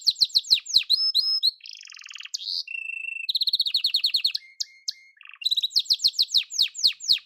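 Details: Yellow canary singing: fast varied phrases of high rapid chirps and trills, a buzzy rattling passage, steady whistled notes, then quick repeated descending chirps, all loud and continuous.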